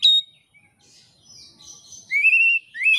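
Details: Indonesian oriental magpie-robin, recorded as song-training material for bird keepers: a short high note, soft twittering, then a long, slightly rising clear whistle and another note starting to rise at the end.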